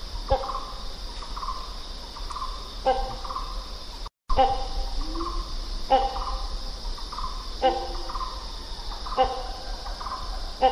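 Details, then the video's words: Great hornbill giving loud, harsh, nasal barks in short bursts repeated every two seconds or so, over a steady insect hiss. "great hornbill សំឡេងសត្វគេងកងយំ"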